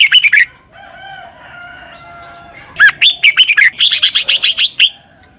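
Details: Red-whiskered bulbul from Thailand in doubled southern master-song style, used for young birds to copy: a short whistled burst, a faint sustained tonal note, then a long run of rapid, bright, jumpy whistled notes.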